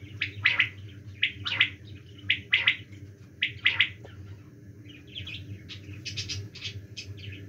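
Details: Quail calling in winter season: sharp, high, clipped notes in quick pairs and triplets, about once a second, over a steady low hum; fainter chirps follow.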